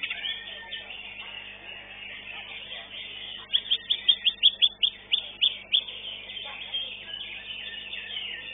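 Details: Greater green leafbird singing at a songbird competition in a modern arena; a burst of rapid, repeated high chattering notes about eight in two seconds amid a busy crowd murmur and other birds.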